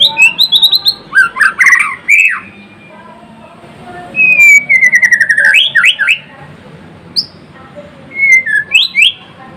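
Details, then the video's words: White-rumped shama (murai batu) delivering varied song: quick high chips, a rapid stuttering trill of descending whistles, and loud upslurred notes in separate bursts with quiet gaps between. "Kicauan MURAI BATU GACOR (Murai Blorok gacor)"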